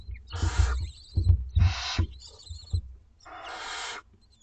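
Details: Two-week-old barn owlets in a school garden nest at dinner time, giving long harsh hissing begging screeches, three bursts about a second each, with low thumping and handling noises underneath.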